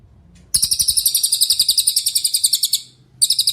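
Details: Cililin singing a master song used to train songbirds such as Murai Batu, Cucak Ijo and Kacer: a rapid trill of about thirty sharp, high, ringing notes over two and a half seconds, a short pause, then the trill restarting.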